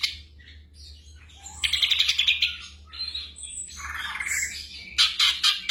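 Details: Black drongo singing for night-time training of caged birds, delivering rapid raspy chatter and short whistled phrases in quick succession, broken by brief pauses, over a faint low hum.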